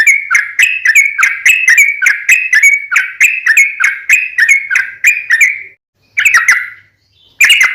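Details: Sooty-headed bulbul in a long lure song for drawing out rival bulbuls: an even series of about a dozen bright, slurred whistles, then silence broken by two brief closing bursts.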